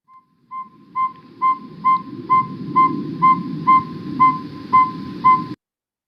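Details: A Northern Saw-whet Owl in Iowa repeats mellow, whistled toots on one steady pitch, about two per second, like a forklift's backing-up beeper, over a low background rumble.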